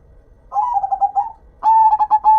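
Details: Active local zebra dove: a soft trilled coo phrase, then a louder, ringing run of evenly pulsed notes that ends on a held tone.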